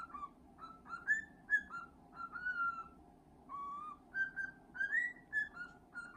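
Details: Indoor male cockatiel whistling while being petted and scratched, gentle rising and falling whistles in an unhurried, wandering tune, with a short pause midway, over a continuous low hum.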